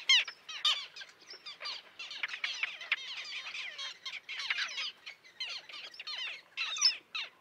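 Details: A chorus of harsh, grating, down-curving cries rises from a small common tern colony with young near a pier at Liepāja, Latvia, June 2024, filmed on a Nikon Coolpix P1000; many birds call at once, dense and continuous.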